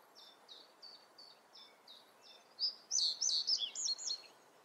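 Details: Reed bunting (Emberiza schoeniclus) song, likely in the Eifel: a faint series of high, evenly spaced chips, then a louder, jangling burst of quick twittering notes, over a soft outdoor hiss.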